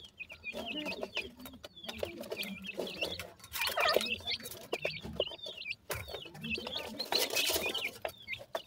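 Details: Grey francolin chicks giving high, thin peeping notes, each a short down-slurred whistle, repeated rapidly and irregularly over scratchy, rustling bursts of handling noise.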